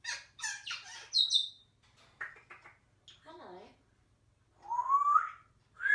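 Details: Pet African grey parrot indoors making a string of squawks, clicks and rising whistles, with short speech-like sounds and a drawn-out rising whistled note near the end.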